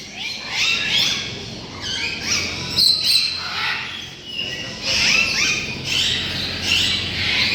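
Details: Dozens of parrot species from around the world in covered enclosures at Tehran Bird Garden, Iran, raising an incredible noise: overlapping harsh, high squawks and shrieks in loud bursts every couple of seconds, with calmer gaps between.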